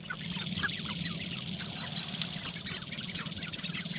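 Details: Sharp-tailed grouse lek in Northern Wisconsin on April 29, 2021, birds displaying: a dense, continuous chatter of high clucking and cackling notes with a low rumbling undertone.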